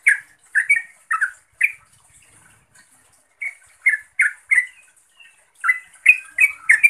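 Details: Trucukan, the yellow-vented bulbul, calling a rival or companion, played to stir a silent bird into song. Bursts of bubbly warbled notes, each burst three to five chirps, with short pauses between.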